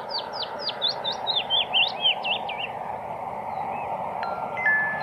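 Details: Wood warbler singing: a quick run of about nine high, thin, downward-slurred notes that speed up and drop slightly in pitch over two and a half seconds, followed by quieter scattered notes over steady background hiss.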